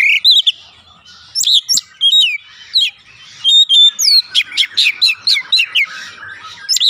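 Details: Oriental magpie-robin song played as a lure for singing: loud, varied whistled notes and downward sweeps in bursts, building into a fast series of repeated sharp phrases.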